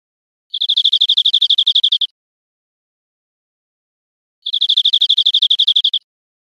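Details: Two short, fast, even trills from a European greenfinch, each about a second and a half of rapidly repeated high notes with silence between them, from a recording made for teaching caged birds to sing.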